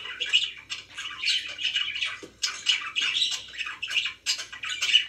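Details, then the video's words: Caged-style pet budgies calling indoors, bursts of grating squawks and twittery chirps separated by brief pauses, several phrases over five seconds. "#chirpingbirds #budgie"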